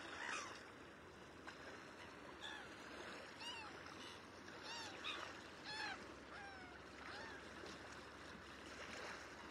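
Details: A flock of black-headed gulls searching for food give harsh, rising-and-falling 'kree-ar' calls, several overlapping each second, over a steady wash of water and a thin rising electronic whine.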